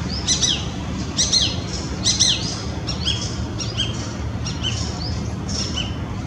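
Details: Female Shikra perched near its nest in Greater Noida, February, giving sharp, high, shrill notes in quick clusters about once a second, some with a falling tail, over a steady low background rumble.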